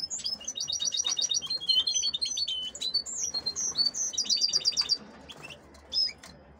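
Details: Female canaries kept for hybridizing with goldfinches: high twittering song with fast buzzy rolls and repeated chirped notes for about five seconds, then a quieter single chirp near the end.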